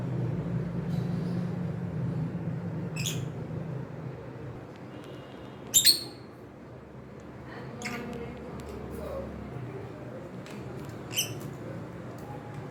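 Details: Companion cockatiels give sparse, sharp chirps every few seconds, one louder doubled note standing out, with a steady low hum throughout the room.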